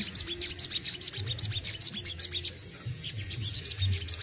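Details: Sogon in care, delivering besetan and tembakan phrases. A fast series of bright, high, clipped chirps pulses rhythmically, pauses briefly midway, then resumes, with low background rumble throughout.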